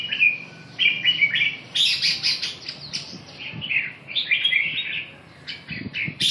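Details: Rapid string of fluty, wavering phrases from a red-whiskered bulbul, interspersed with sharp scratchy high notes and some low thumping noises toward the end.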